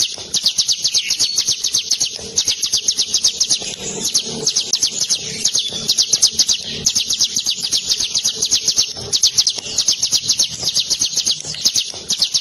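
A prinia sings a long, unbroken rolling song of sharp, high notes repeated about four times a second.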